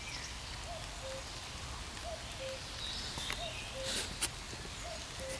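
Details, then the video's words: Wild common cuckoo in woodland, 2 June 2020, giving its falling two-note cuckoo call at a distance, repeated roughly every 1.4 seconds, while other small birds twitter high above and a faint hum runs underneath. "Kukułka w lesie sobie kuka"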